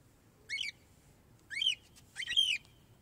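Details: A cockatiel gives three short, bright warbled whistles about a second apart, each a quick rising-and-falling phrase, over faint low background hum; the song is used to teach young cockatiels to sing.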